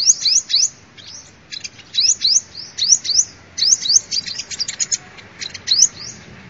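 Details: Sunbird song played as a lure: lively groups of sharp, high rising notes and twittering chirps, repeated in bursts about every second with short pauses.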